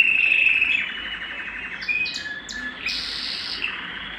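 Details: Canary singing to stimulate breeding: a thin high whistled note, then softer rapid rolled phrases and short high chirps, fading in volume over the few seconds.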